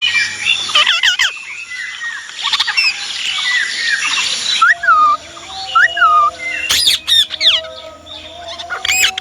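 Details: Indian ringneck parrot giving harsh squawks, then a pair of clear rising-falling whistled notes near the middle, followed by sharp broken screeches with a steady hum behind.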